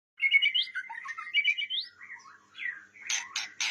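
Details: White-rumped shama of the blorok variety singing: varied whistled and chattering phrases with quick rising notes, a lower warbling middle section, then loud harsh bursts near the end.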